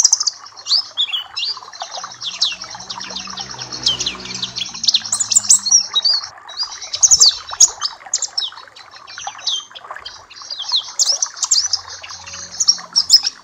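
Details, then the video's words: Papua black-capped white-eye song used as tutoring and therapy material for caged birds: a dense, rapid stream of high, sharp chirps and twittering notes with quick up-and-down slurs, running almost without pause. "Masteran dan terapi pleci Papua black cappe"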